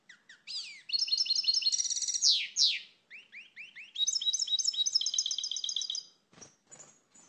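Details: Song of a European goldfinch: tinkling trills and bright slurred notes give way to a series of rising chirps, then a fast liquid twitter, closing with a short rasp and a few soft notes.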